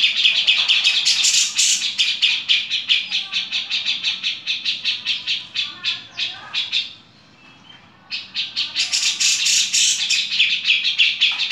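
A grey-cheeked bulbul gives a fast run of harsh, scratchy chattering notes, pausing briefly midway.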